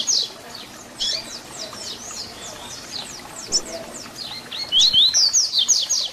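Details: Tutoring song of a double-collared seedeater (papa-capim), 'Tui Tui Zel Zel' fibra style: a long run of quick, thin, downward-sweeping high notes builds into a bright, loud cluster of sharp whistles at the close.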